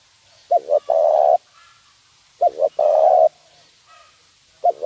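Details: Spotted dove lure call in the 'nguku' style for teaching birds, two full phrases of paired short hoots leading into a drawn-out soft coo, with the opening notes of a third phrase at the end.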